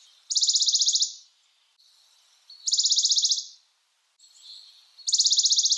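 Western Bonelli's warbler giving a dry, even, high-pitched trill about a second long, repeated every two to three seconds, with faint background chirps between.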